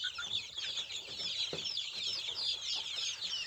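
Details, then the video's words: Many village chickens of the native kampung type give a steady mass of shrill, overlapping peeping notes, busy and unbroken, with a faint low knock partway through. "Ayam kampung asli"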